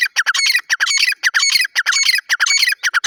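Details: Grey francolin, known locally as teetar, described as a female: loud, ringing notes repeated rapidly in overlapping bursts, about two per second, each sharp and slightly rising, with rich upper tones and short gaps between phrases.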